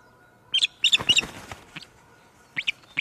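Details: Osprey at Loch of the Lowes, Scotland, gives sharp, high whistled alarm notes in quick bursts of two to four, pausing between bursts, apparently at an intruding osprey; low steady hum underneath.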